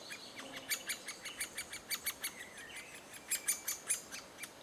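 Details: Great spotted woodpecker adults bringing food to chicks, June 2011: a busy stream of sharp, high, clicky notes, some clustered, others spaced, with a brief soft lower note near the start.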